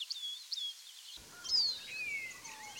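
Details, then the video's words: Common linnet (Carduelis cannabina) in UK woodland sings a brief, high twitter: a few quick chirps, then slurred, falling whistles, over a faint background hiss. "The Linnet Song"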